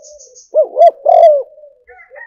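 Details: Spotted dove decoy call used for luring birds: a low, hoarse cooing phrase of three to four rounded notes rising and falling, with a longer drawn middle note, framed by faint softer coos.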